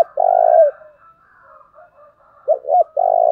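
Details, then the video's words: Spotted dove kept as a decoy gives its provoking call: a long burred coo, a pause filled with faint soft coos, then two short hoots and another drawn-out trembling coo. "Cu mồi thúc vầy chịu gì nổi"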